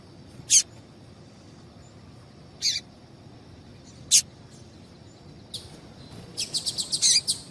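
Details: Female double-collared seedeater calling so that males start singing: three widely spaced sharp high chips, then a quickening series of rapid, high ticking notes at the end.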